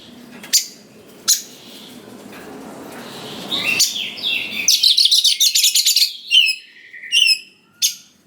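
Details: White-rumped shama song used to provoke young birds to respond: faint background noise and two sharp clicks, then a rapid buzzy rattle followed by clear whistled slurs rising and falling.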